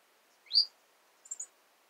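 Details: Kept female red-cheeked cordon-bleu singing: one upswept squeaky high note followed after a pause by three quick thin high twitters, with no other sounds.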